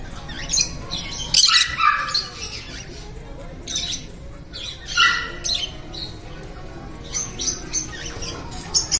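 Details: Indoor captive green-cheeked parakeets in Matsuyama, Ehime, Japan, mutually preening inside a shopping-center animal school; repeated harsh, raspy squawks in clusters of two or three, with soft chatter and music in the background.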